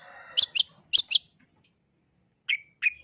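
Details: Long-tailed shrike (pentet) singing: two pairs of harsh, rasping notes, then after a pause two clear upslurred whistled chirps.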